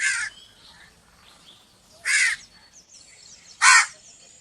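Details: Crow giving three harsh, raspy caws, each short and broad-toned, spaced about one and a half to two seconds apart over a quiet background with faint hiss.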